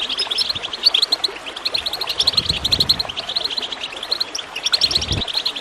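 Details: Lively goldfinch twittering over gurgling water, played to spur birds into song: rapid, busy high chirps repeat almost nonstop, with soft low water sounds underneath.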